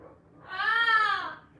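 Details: Angry pet rescue cockatoo calling indoors: a single drawn-out harmonic screech that rises and then falls over about one second, with a faint room background.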